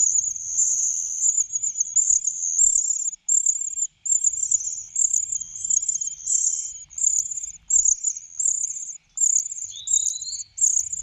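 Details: Greedy cuckoo begging while being fed, food pushed into its mouth and down its throat: high, buzzy, hissing notes in steady bursts about every 0.7 seconds, with one short sliding whistle near the end.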